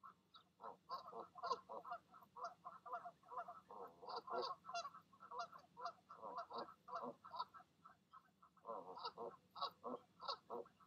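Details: Goose parents calling goslings down from the nest in the evening; a long, busy stream of nasal honks and grunts, several per second, with high thin peeps from goslings scattered through.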